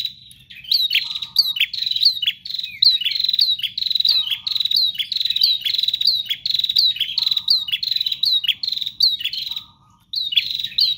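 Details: ['Nonstop song of a bar-winged prinia: a long, fast stream of shrill, high chips with falling tails, almost continuous for ten seconds, punctuated by short low buzzes, then a brief silence near the end; low hum beneath.']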